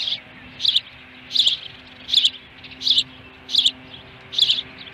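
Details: Osprey calling at its nest, fish present, 26 May 2020 at 4:58 PM, Dunrovin Ranch: six bright, thin, repeated chirps at a fairly regular pace, slightly quieter, with a low electrical hum behind.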